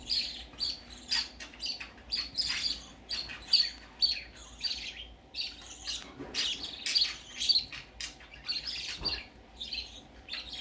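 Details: Baby budgerigar going out for the first time: soft, high chirps and short warbling notes repeat about twice a second, mixed with light clicks and tapping.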